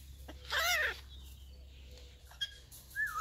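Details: Tame captive hyacinth macaw in a Prague parrot park, Czech Republic, talking while showered; one strong, tonal, arching utterance rich in overtones, then faint clicks and a short rising squeak at the end.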